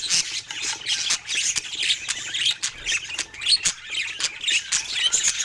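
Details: Pet budgies playing: harsh squawks and scratchy chirps in uneven bursts, roughly one a second, over constant background twittering from the group.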